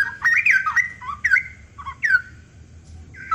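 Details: {'text': 'Straw-headed bulbul song: a rich rolling whistle phrase that bends up and down, followed by a few separate fluty notes with pauses between them, all loud and clear above a faint low hum.'}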